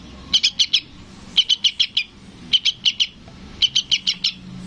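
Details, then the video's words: {'caption': 'Chick of a sooty-headed bulbul calling for its parent. Four bursts of four or five bright, high-pitched chips in quick succession, separated by short pauses.'} "SUARA BURUNG TRUCUKAN ANAKAN MEMANGGIL INDUKNYA"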